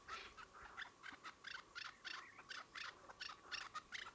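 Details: Chukar partridges uttering a string of short, scratchy, clucking notes at an irregular pace, bright and rough in tone.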